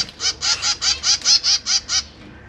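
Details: Captive zebra finches, a breeding pair with three juveniles and three newly fledged chicks in a large cage, recorded 12 September 2023 while the parents feed the young; nine nasal, harmonic honking calls repeat about every quarter second.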